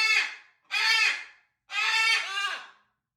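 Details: Macaws at dinner feeding time give three harsh, raucous squawks, each about half a second to a second long, loud and grating with a broad, buzzy tone.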